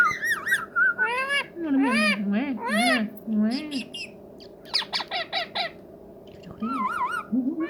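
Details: Talking ringneck parrot kept as a pet makes a busy stream of harsh, harmonic squawks and wavering, speech-like warbles with short pauses, steady hum behind.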